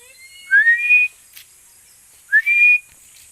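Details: Two high Philippine eagle whistles two seconds apart, each an upward-sliding note stretched into a short level tone, with a brief rustle between them.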